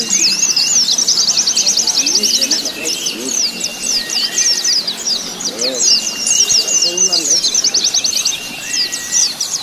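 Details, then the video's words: Simulated pleci contest, white-eyes singing at the gantangan to accustom a bird to crowded competition: quick repeated high trills and sweeping twitters, a few level whistles, and a background of people talking. "TERAPI SIMULASI LOMBA PLECI"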